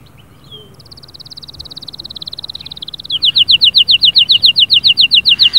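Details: Canary song: a fast, steady buzzy trill that grows louder, then a brisk series of bright, sharp notes repeated about four times a second.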